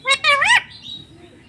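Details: Pet ringneck parrot giving a short harsh harmonic call, two quick rising syllables lasting about half a second, followed by a faint fading whistle in a quiet room.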